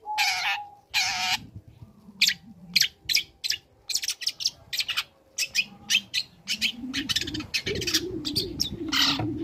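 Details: Young long-tailed shrike in steady song, practising imitated material to provoke rival shrikes: repeated grating bursts and quick chips, with a low background hum rising toward the end.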